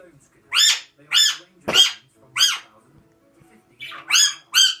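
Alexandrine parakeet giving about seven loud, harsh, raspy squawks over five seconds, roughly one every half-second to second. Nothing else is clearly heard.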